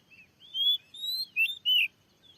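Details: Oriental magpie-robin at a field with a newly placed lure that a fierce wild bird comes to challenge. Four loud, clean whistled phrases, some slurred downward and some rising, follow each other quickly in quiet surroundings.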